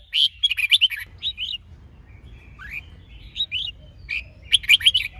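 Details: Red-whiskered bulbul singing in a training recording that pairs a female with the male to excite him: short, lively whistled phrases of a few notes, broken by pauses, with a rapid chattering burst at the end.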